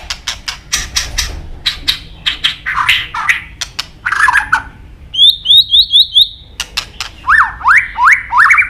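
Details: White-rumped shama training song mixing forest-style phrases: series of sharp clicks and harsh notes, a run of five high upslurred whistles, then rising buzzy upsweeps repeated three times.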